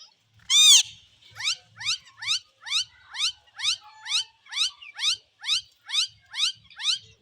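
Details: Parrot giving a loud screech, then a run of quick upward-sweeping chirps repeated about every half second, each a short rising whistled squeak, with faint low thumps underneath.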